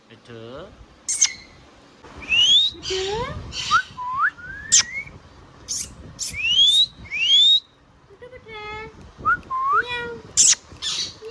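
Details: Pet Indian ringneck parrot voicing a busy string of rising and falling whistles, harsh squawks and speech-like harmonic phrases, with barely a gap between sounds.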